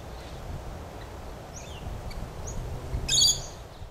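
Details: Yellow-faced Honeyeater on the Goarra Ridge track in the Royal National Park at Heathcote: a few faint, thin, high down-slurred notes, then one loud, brief, very high chattering burst near the end, over steady background hiss.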